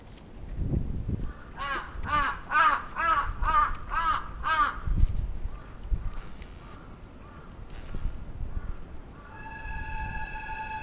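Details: A crow attacking in Atsubetsu Ward, Sapporo, Japan, recorded 27 June 2017: a fast volley of about six harsh caws, then faint scattered caws and a steady electronic-sounding tone near the end.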